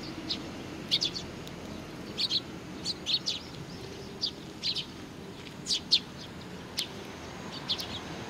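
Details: Sparrows with a chick, recorded on 3 July 2019, giving short high chirps in scattered bursts of two or three, roughly every second, over a steady low background hum.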